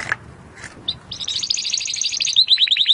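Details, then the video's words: Timbrado canary song used as training audio to improve other canaries' singing: after a few brief notes, a rapid buzzy rolling trill gives way to quick repeated down-slurred chirps. "AUDIO mas PODEROSO de TIMBRADO para el ENTRENAMIENTO"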